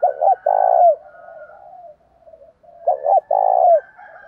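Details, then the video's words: A spotted dove recording of the sort meant to provoke fights and call in other birds, with males and females said to be included. Two phrases of paired short coos and a long warbling coo sit over a faint, drawn-out higher tone. "chim cu gáy Thúc Đấu + Gáy Gọi"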